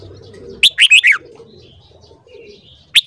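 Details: One full phrase of red-whiskered bulbul morning song, four ringing warbled notes in quick succession, followed by a quiet gap and a single sharp note at the end.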